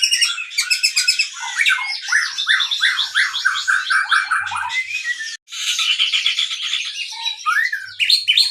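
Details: White-rumped shama kept at a breeding facility, its song used to provoke other birds; rich stream of whistles and falling slurred notes mixed with harsh chatter, a brief break midway.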